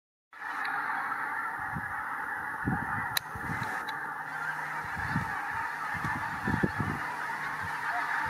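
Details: Pink-footed geese at WWT Martin Mere on 4 November 2017, spooked by a Marsh Harrier: scattered low honking bursts over a steady roar of distant flock noise.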